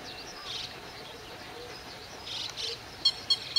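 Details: Northern lapwing calling at 08:20 on 31 May 2011 while defending its territory against a grey heron and ducks with low attacking flights. Faint high calls come first, then three sharp, clipped notes about a quarter second apart near the end, over steady background hiss.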